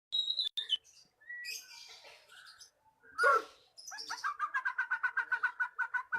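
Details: Magpie-robin song used as a lure to get a silent bird singing: scattered whistled notes and a harsh rasping burst, then a fast run of about fourteen repeated clipped notes.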